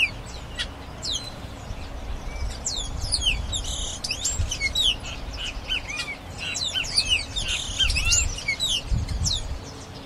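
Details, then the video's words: Grayish baywing singing a continuous stream of overlapping slurred whistles, chips and short buzzes, busy and chattering throughout, with low background noise. "O Canto do ASA DE TELHA (Agelaioides Badius) Bird Song - Grayish Baywing"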